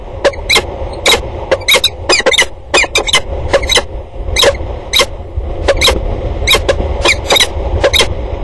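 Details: Peregrine falcons at a water tower in Axel on 2 October 2019, keeping up a long exchange of calls: short, harsh, clipped notes in quick irregular bursts, often doubled, over a steady low rumble.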